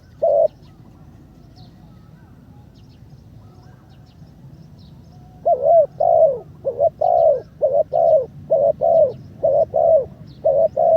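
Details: Spotted dove used as a ground decoy bird, third training session, behaviour much improved; a single short coo, a pause, then from the middle a quick run of low hooting coo notes, many in close pairs.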